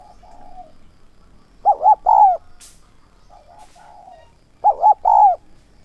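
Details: Spotted dove kept as a decoy to draw in wild doves, calling in the 'son' voice with 'thúc' and 'gáy gọi' style. Soft muffled cooing first, then two loud phrases of paired arched notes ending in a long slurred coo, three seconds apart.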